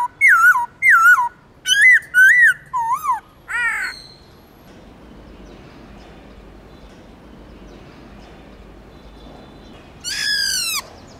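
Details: Black-throated laughingthrush singing forest-style phrases for stimulating captive birds: a fast series of looping, downward-twisting whistles and harsher notes, then a long quiet stretch before one final loud, rich note.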